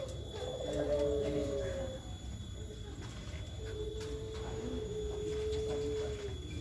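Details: Turtle dove (puter pelung) giving two long, drawn-out, even-pitched low coos, each lasting over a second, with a pause between and steady background rumble.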